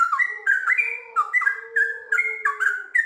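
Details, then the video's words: Sooty-headed bulbul, gacor singer with ngiwir and long ropel: rich, bubbling whistled phrases in quick pairs and trios, with a faint steady low tone running underneath. "TRUCUKAN GACOR ngiwir lanjut ROPEL PANJANG"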